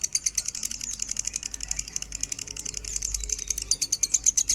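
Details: Lovebird singing in the 'minor' standard tone, offered as a master recording for tutoring other birds: an unbroken run of very high, shrill chirps pulsing several times a second throughout, over a faint low hum.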